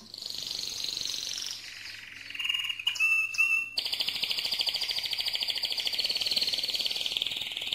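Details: Mosaic canary singing loudly: sustained high buzzy trills around the top of its range, a brief pause with clear whistled tones, then a long fast rattling trill repeated steadily to the end.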